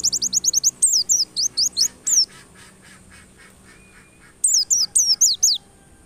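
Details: White-eye song played to provoke white-eyes into insistent singing: a rapid trill of short high notes, then falling slurred whistles, a lull with softer echoing notes, and a closing run of five descending notes.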